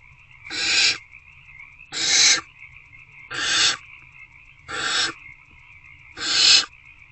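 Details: Five evenly spaced, breathy hissing screeches, roughly one and a half seconds apart, come from hungry owlets in a nest box at 8:13 pm on 26 February 2024 while they tackle a rodent; a steady hum underlies them.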